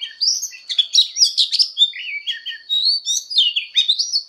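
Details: Fighting song of an Oriental magpie-robin in voice training: fluid rising and falling whistles and rapid chirp clusters, ending in drawn-out upslurred notes, with a steady high tone underneath.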